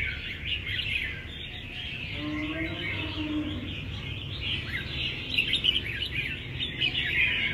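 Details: A caged Red-whiskered Bulbul, filmed by phone from close range while holding its posture, sings a busy run of bright, chirpy whistled phrases that grow louder toward the end. A few low voices and background hum sit beneath.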